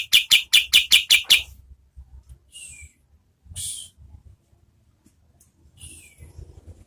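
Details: Oriental white-eye used as tutor audio for competition birds: a brief series of about seven sharp high chirps, followed by faint, isolated descending whistles and a quiet background.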